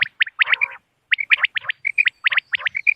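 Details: Common quail, known locally as bater, call played as a hunting lure for moonlit nights: quick clusters of sharp, chirpy notes in bursts of two to five, separated by brief pauses, with one longer silent gap midway.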